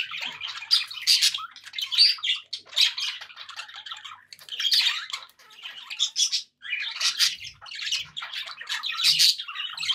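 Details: Happy domestic budgerigars chattering: bursts of harsh squawks and twittering warbles alternate with short lulls, fairly loud and high-pitched throughout.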